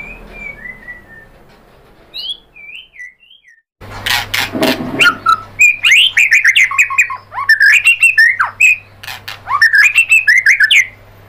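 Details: White-rumped shama singing as a lure for other birds: soft falling whistles and looping notes, then a burst of noise and a long lively stream of varied whistled and chipping phrases with a low hum.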